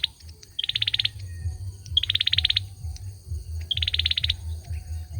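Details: Male olive-backed sunbird song: three crisp high rattling trills, each about half a second, spaced by quiet gaps, over a low droning background.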